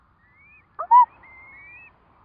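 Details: Curlew with four chicks hatching: one short emphatic rising yelp, surrounded by soft thin high whistles that drift slightly upward, possibly from the young.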